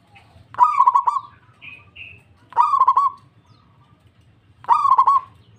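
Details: Zebra dove of a local strain, singing readily in reply: three rolling, pulsed coos spaced roughly two seconds apart, each opening with a sharp rise, with two brief higher whistled notes after the first.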